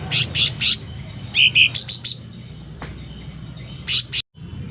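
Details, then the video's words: Sooty-headed bulbul in full, loud song: sharp high chips, a pair of lower bubbly notes and a few higher ones, then near-silence broken by a final pair of chirps. "Suara Cucak Ranting Gacor Volume Keras"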